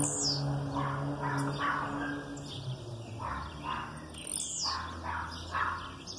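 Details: Male blue-black grassquit in aggressive song, high buzzy descending sweeps every second or two, with softer chips between, possibly female calls in the background, over a low steady hum.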